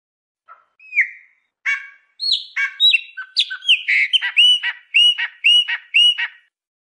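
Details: Chopi blackbird song meant to get a pet bird singing: it opens with scattered whistles and harsh chips, then builds into a steady series of about six ringing, repeated whistled notes near the end.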